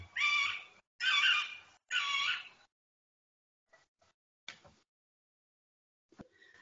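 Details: During breeding season in old deciduous forest of Cîteaux, France, a Middle Spotted Woodpecker sings three loud, very nasal, drawn-out wailing notes about one per second, followed by faint clicks and rustles.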